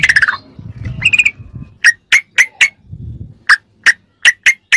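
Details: Sooty-headed bulbul in ropelan style, used as masteran tutor material for filling other birds' songs: a few bubbly notes, then a run of short sharp whistled notes near two to three kilohertz, evenly spaced, over a low rumbling background.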